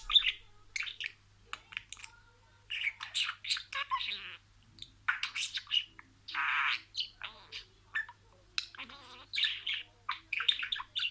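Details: Pet budgerigar talking, imitating words in sequence: dense bursts of scratchy, warbled syllables with bright high clicks, broken by short pauses, plus a steady low hum in the background.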